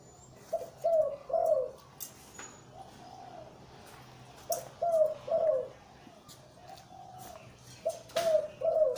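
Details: ['Big-voiced breeding male zebra dove, Liw Tan type, repeating a low rolling three-note coo phrase three times about every three and a half seconds, with scattered clicks and taps.']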